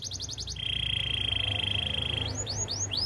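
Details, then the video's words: Spanish timbrado canary singing a training song: a short run of rapid rising chirps, then a long steady metallic trill held nearly two seconds, followed by a few separate upswept whistled notes, over a low background hum. "Canary singing for training - Spanish timbrado song"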